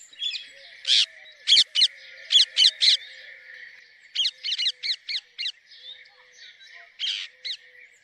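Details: Pet talking parrot at home giving natural chirping: sharp, high squeaky chirps in quick clusters of two to five, repeated over several seconds, over a steady high whine in the background.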